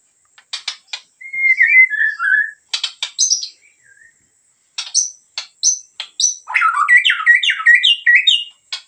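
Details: White-rumped shama of the Medan type, singing energetically (gacor): sharp clicks, then a slurred falling whistle, then a fast run of varied rising and falling whistled phrases and chattering notes.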